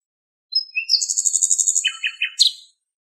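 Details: Common nightingale singing in Greek countryside, recorded from a long distance: thin whistled notes lead into a fast, high, even trill, then lower chattering notes and a sharp high flourish at the end. Background otherwise silent.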